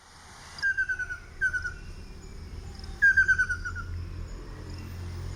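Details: Ruddy Kingfisher (Halcyon coromanda) calling in Queen Sirikit Park, Bangkok, Thailand: three short, clear, descending trills of fluty notes, the last the longest, over a low steady rumble.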